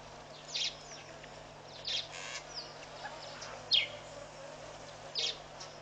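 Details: Diederik cuckoo calling at Pete's Pond at 8:54 pm on 3 April 2013: brief high whistled notes, four bursts at uneven intervals over about six seconds, against a steady low background hum.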